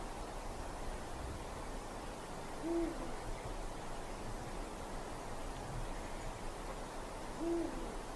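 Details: Winter night in a dark forest: a Eurasian eagle-owl gives two brief, low hoots roughly five seconds apart against a constant soft noise floor.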